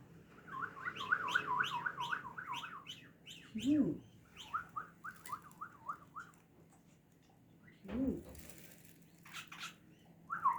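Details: Hand-tame white-eared bulbul fussing affectionately over its owner's relative, singing rapid runs of wavering, looping whistled notes, repeated in long trills, broken by two low hoarse notes and a rustle.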